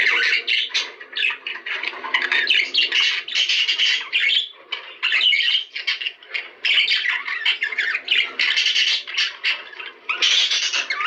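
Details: Budgerigar breeding song played to make budgies mate: long, rolling chatter of raspy squawks, clicks and high chirps running on with a few brief breaks.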